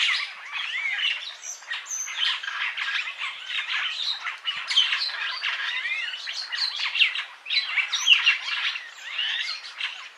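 A purple starling gives a dense, unbroken medley of harsh squawks, creaky chatter and short bright whistles, running on for the whole ten seconds with no pauses.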